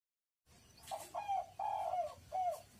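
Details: Spotted dove used as a lure to set wild doves calling: a soft, distant-sounding series of mellow coos against a hissy background, with short pauses between the notes.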